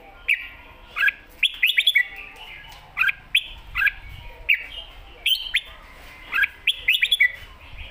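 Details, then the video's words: Red-whiskered bulbul performing an energetic 'mae bot' master-pattern song. Short, spaced bursts of clear whistled and warbled notes come in groups of two to five, separated by brief pauses, against a quiet backdrop. "นกกรงหัวจุก ร้องมันส์เพลงแม่บทสับกระจาย"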